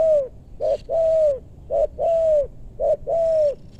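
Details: Spotted dove recorded while luring wild doves in a maranti forest in west Bogor, Indonesia; three clean paired phrases, a short clipped note followed by a drawn-out, slightly descending coo, evenly spaced.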